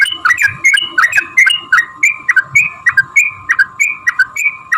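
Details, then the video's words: Yellow-vented bulbul pouring out a long fighting song used to provoke rival bulbuls into song; quick, evenly spaced liquid chirps slurring upward, about three each second, with a faint steady hum behind. "trucukan gacor TARUNG ROPEL PANJANG"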